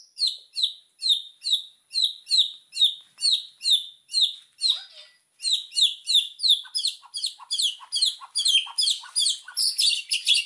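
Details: White-rumped shama, a lively singer with full fill-in phrases used as a training master, repeating sharp high downslurred notes about twice a second in a steady series, broken by a short gap, then faster and denser.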